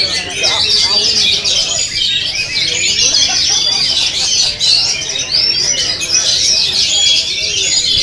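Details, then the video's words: Simulated singing contest of oriental magpie-robins, played to train birds: a loud, unbroken tangle of many high whistled and chattering phrases overlapping throughout, with murmuring human voices faintly beneath. "LOMBA KACER MP3!!! Simulasi lomba kacer untuk terapi melatih mental kacer anda"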